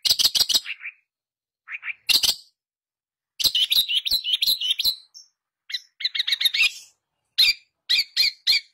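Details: Long-tailed shrike (pentet) in a gacor lure recording meant to prompt sluggish kept shrikes into singing: bursts of fast, harsh, high chattering notes in rapid runs, separated by short silences, with some twittering phrases.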